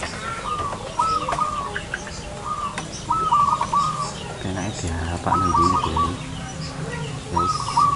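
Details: Zebra dove lured in front of a house: several stuttering, bubbling coo phrases of quick repeated notes, given every one to two seconds, with a low voice or rumble briefly underneath and constant background hiss.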